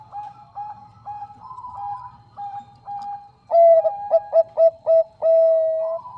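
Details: Bangkok zebra dove, a female calling the male, singing clearly: soft spaced coos at first, then a loud, quick stuttering series of mellow notes closing with a long sustained coo.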